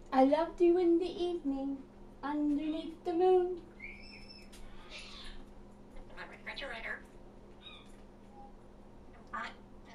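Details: Pet African grey parrot talking: a run of speech-like syllables, then a high clear whistle and scattered squeaky, nasal notes, against a constant low hum.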